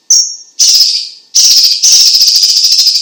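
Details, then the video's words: A cucak ijo cina (Chinese leafbird, also cucak cungkok) in vigorous song used for tutoring and prompting. One clear high whistle opens, and buzzy chattering phrases follow that merge into a long, sustained rattling trill. "Suara Ocehan BURUNG CUCAK IJO CINA Gacor - CUCAK CUNGKOK"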